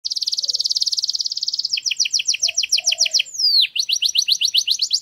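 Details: Canary song recorded to teach a young canary to sing: a fast, even high trill, then a drier pulsed roll, a sharp downward sweep, and a run of rapid rising notes. There is a faint low chirp in the background.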